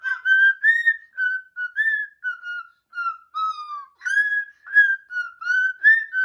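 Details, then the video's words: Captive pet cockatoo in a small room whistling a cheerful tune: a run of short, clear whistled notes, level or gently rising and falling, with a short pause halfway. "What a great little Happy Tune!!"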